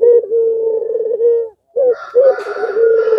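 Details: Puter pelung (Barbary dove) coo meant to trigger replies from other doves: a sustained low level coo, then choppier coo notes overlapped by a brighter sound.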